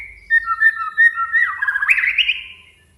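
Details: White-rumped shama singing to challenge a rival: a series of rich, fairly low whistled notes that swing up and down, ending in a rough, rising, warbled flourish that fades out.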